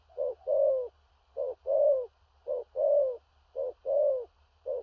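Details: Spotted dove, a big-bodied bird, delivering powerful 'thổ rặc' coos with a stammering 'gù cà lăm' quality: four paired phrases, each a brief hoot then a drawn-out falling coo, plus a final short note.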